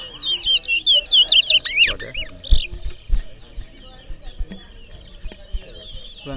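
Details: Towa towa seed finch at a Berbice singing competition: a bright series of quick rising and falling whistled notes with buzzy flourishes for about two seconds, then faint chirps, clicks and low voices.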